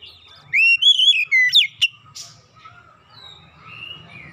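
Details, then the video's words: Oriental magpie-robin singing, meant as therapy for a mute bird: one loud phrase of rising and falling whistles ending in sharp clicks, followed by faint soft warbling and low background rumble. "TERAPI MEMPERCEPAT KACER BISU MACET BUNYI LANGSUNG GACOR"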